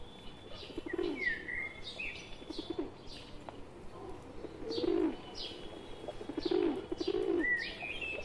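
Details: Among wild pigeons joined by a tame pet pigeon, muffled low coos come in the second half, with quieter chirps and whistles from other birds overhead.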